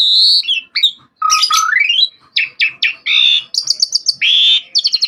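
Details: Asian pied starling singing energetically on a track for training cage birds: loud whistles, rising slurred runs, harsh buzzy phrases and quick repeated chirps.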